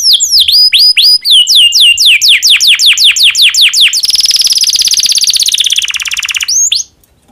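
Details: Domestic canary in breeding condition singing to get other canaries singing: series of quick down-swept notes about four per second, then a long buzzy trill that drops lower before fading out.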